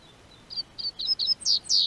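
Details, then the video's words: Double-collared seedeater singing in southern Brazil as the weather begins to warm: a short run of high, thin whistled notes, steady at first, then two louder, sweeping slurred notes at the end. The background is quiet. "O Tempo Esquentou, COLEIRO Cantou"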